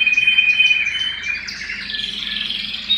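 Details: Canary singing at home: a continuous high, rapid warbling song with fast trilled phrases and a steady whistled tone, shifting slightly higher after about two seconds, with a low hum underneath.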